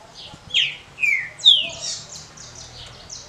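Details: Short smooth Paraná song (canto curto liso, 'canto pra roda') of a green-winged saltator: three clear whistled phrases, each descending, about half a second apart, then softer high-pitched notes.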